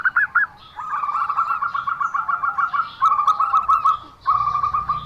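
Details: Unusual call of a zebra dove: a few opening coos, then fast staccato bursts of clipped cooing notes, about four per second, in three runs separated by short pauses.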